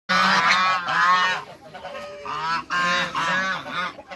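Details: Domestic geese, African and Toulouse breeds, six birds on a farm meeting new arrivals: loud harsh honks in a run of long blaring notes, a pause, then another similar burst of honking.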